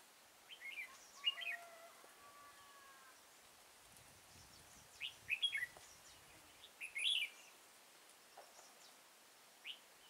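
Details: Red-whiskered bulbul at Kim Bôi, Hòa Bình, Vietnam, trapped on 6 April 2017: repeated short, bright warbling phrases spread across ten seconds, some close together, with soft lower whistles early on.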